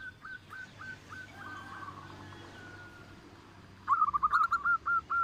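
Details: Zebra dove of local stock, loud-voiced and used as a lure bird: faint distant run of repeated coos, then a close, loud burst of rapid rolling cooing notes at the end.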